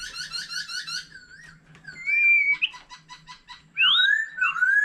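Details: Mature wild-caught white-rumped shama singing many varied phrases alongside a laughingthrush: a rapid run of repeated whistled notes, then a sustained pure whistle, a quick stuttering series and loud rising-falling whistled slurs, with a faint low hum underneath.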